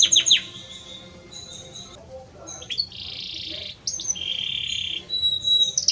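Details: A male Belgian canary sings to its mate in a quieter passage. Sharp downslurred notes and soft whistles are broken by pauses, then buzzy rolled trills and high whistled phrases.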